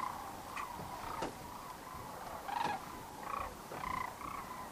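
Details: Evening roost flight of sandhill cranes over the Platte River near Kearney, Nebraska, March 27, 2009; scattered rattling, bugling calls rise from a dense background murmur of many distant birds.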